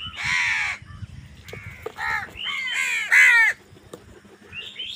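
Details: Crows squabbling over food give loud, harsh, nasal caws in quick succession, some overlapping, with the loudest caw near the end and brief quieter notes between them.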